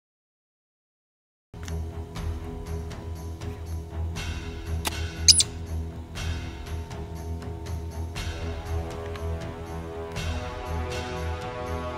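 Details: After a moment of silence, steady background music plays with scattered clicks, and no animal voice stands out.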